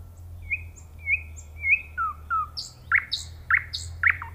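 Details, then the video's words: Nightingale song built from drawn-out level whistles, then a pair of lower whistles, followed by three loud, sharp, stuttering notes. "صوت العندليب وجمال الطبيعة🤩Nightingale Sound and Nature Beauty"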